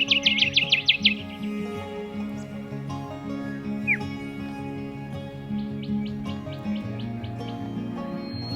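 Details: Rufous whistlers, a pair, with the male active and showing off in scrub on a very hot day: a burst of rapid, sharp, downslurred whistled notes repeated quickly, then fainter notes, over steady background music.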